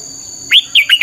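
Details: Red-whiskered bulbul in training-song 'căng lửa' style, cut short: one loud arched whistle followed by a quick run of three warbled notes, over a faint constant hum.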